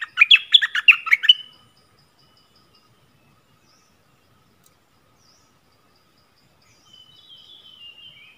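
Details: Yellow-vented bulbul lure song: a loud, bubbling burst of rapid warbled notes lasting just over a second, then quiet, with a faint thin twittering near the end.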